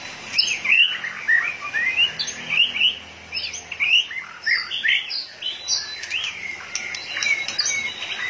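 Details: An energised white-rumped shama, tail pumping hard, repeats bright whistled slurs and sharp chips in a lively, varied series, with some high thin notes and a few clicks.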